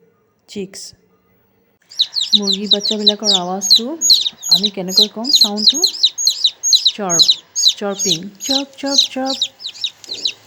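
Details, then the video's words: Chicks peeping while the mother hen teaches them to find food; rapid, high, thin chirps repeated more than twice a second, with a person speaking over them in a low voice. "The sound of a chick"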